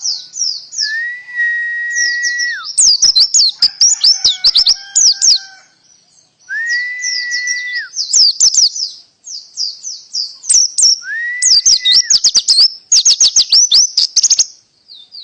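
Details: Canary singing a song style called full tembakan with pleci elements: rapid high-pitched trills and chattering bursts, broken by long steady whistled notes held for about two seconds, with brief pauses. The recording is clean, with no other sounds.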